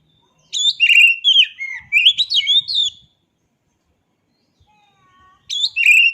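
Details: Oriental magpie-robin delivering a burst of mixed whistles and harsher notes for about two seconds. A quiet pause follows, then another loud phrase begins.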